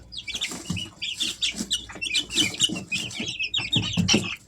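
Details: Easter Egger chicks at three weeks old chirp in a steady chorus of bright, overlapping high peeps, several birds at once, with soft thumping and bedding rustle underneath.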